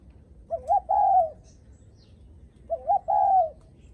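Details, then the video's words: Spotted dove giving its 'gù khách' coo, said to greet visitors: two low coo phrases, each two short hooting notes then a longer drawn-out coo, about two seconds apart, over a faint low rumble. "Tiếng Chim Cu gáy khách có khách đến nhà là gù cực chất cu gáy chào khách"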